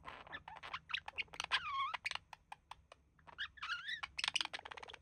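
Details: Male budgerigar mimicking human speech beside his mate as they relax: busy clicking chatter carrying a drawn-out, voice-like note that dips and rises, then more rapid ticks and a second wavering, speech-like phrase.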